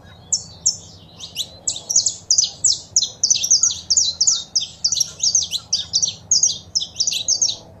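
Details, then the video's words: Saffron finch, male singing with female calls, for rousing a caged bird into song. A fast, unbroken run of sharp, high chirped notes, several per second, loud and steady throughout. "Foguea seu Canário da Terra com Esse Piado de Fêmea e o Macho Cantando"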